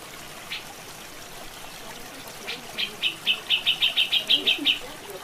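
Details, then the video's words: Black-headed bulbul over trickling water: after a couple of isolated notes, a rapid accelerating series of about ten bright, sharp chips, then quiet water sounds. "Suara Asli Masteran Burung Cucak Jenggot + Suara Air"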